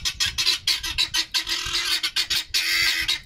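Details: Noisy pet guineafowl giving their owner a telling off: loud, rasping, broadband chattering bursts in quick succession, several per second, overlapping from more than one bird.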